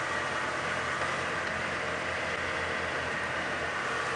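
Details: Idling vehicle engine hum with broadband noise and no animal voices.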